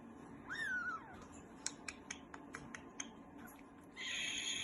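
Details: Green-cheeked conure kept as a pet, chatting contentedly: one rising-then-falling whistled call, then a run of soft sharp clicks and ticks, ending in a harsh, noisy burst.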